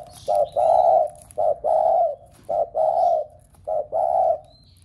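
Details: Spotted dove calling to set other doves at home cooing: low, hollow coos in pairs, a brief note then a longer one, repeated four times at a steady pace, with faint high chirps of small birds behind.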